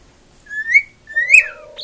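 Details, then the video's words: Attention-loving female pet cockatiel singing two clear upslurred whistles, each rising then dropping, followed by a low nasal buzz and a short high note. "Marigold Singing"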